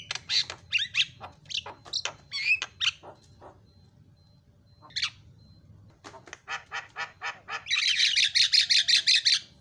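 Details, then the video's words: Lure sound for a starling that will not sing: scattered harsh, buzzy squawks, a short gap, then a steady series of clipped rattling notes closing in a loud, rhythmic burst of grating chatter. "SEKALI PENCET JALAK LANGSUNG PADA CEREWET"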